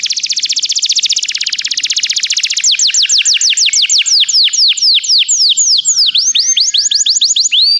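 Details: Canary song aimed at prompting a canary to sing: a rapid, dense rattling trill flows into slower, repeated deep downward whistled sweeps with faint softer notes behind.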